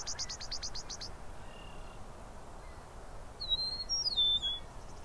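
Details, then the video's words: Eastern Meadowlark in Southern Ontario, Canada gives a quick burst of about eight sharp chattering notes, then a clear, sweet, slurred whistle gliding downward, over faint background hiss. "Eastern Meadowlark Calls/singing"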